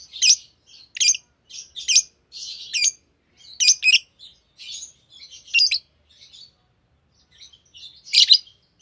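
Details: Green Fischer's lovebird pair chattering: high, scratchy chirps in quick bursts about every half second, slowing into quieter, scattered twitters, with one loud harsh chirp near the end.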